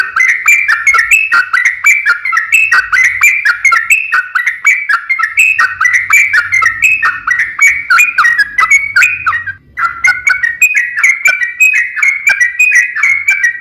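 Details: Yellow-vented bulbul pouring out a continuous rapid-fire song, used to lure other bulbuls into singing; unbroken rollicking warbled notes, quick and repeated, with only a brief dip near the middle.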